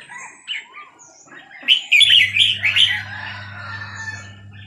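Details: Red-whiskered bulbul of the Burmese type from Dan Singkhon gives a short run of bright, warbled, slurred notes mid-clip, preceded by softer scattered chirps, over a steady low electrical hum.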